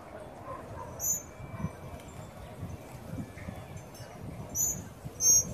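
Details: Tropical mockingbirds, parents and young, visiting a feeder in Trinidad under sunny skies. Scattered high, squeaky chips appear, with two louder ones close together near the end over a murmuring background.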